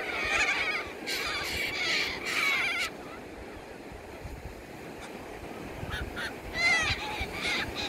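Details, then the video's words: Several yellow-crested cockatoos feeding at the ocean give harsh, grating screeches in bursts of two or three, then a pause and a few more, over a steady roar of surf. "Yellow Crowned Cockatoos"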